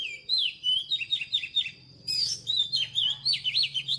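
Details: Oriental magpie-robin pouring out a quick stream of sweet whistles, rising and falling slurs and chirps in two phrases, over a faint low rumble.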